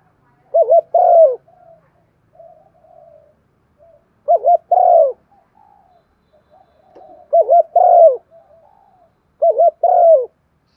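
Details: Spotted dove calling coo of the Thổ-voice style, meant as a lure. Four mellow phrases, each two fast wobbling notes followed by a drawn-out descending coo, spaced roughly three seconds apart over soft, quiet background twitters.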